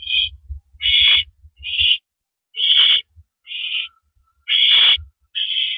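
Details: Owl at its nest on April 5, 2012, around 10:30 PM, as a mouse is delivered; harsh, hissing rasps about half a second long, seven in under six seconds, with soft low thumps and scraping between them.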